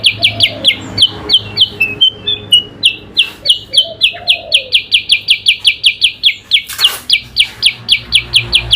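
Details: Yellow-eyed babbler (kutilang sutra) singing vigorously in an adu kicau contest with an Oriental magpie-robin (kacer): long rapid series of shrill downslurred notes with a brief slower, lower stretch, soft warbles below and one loud click.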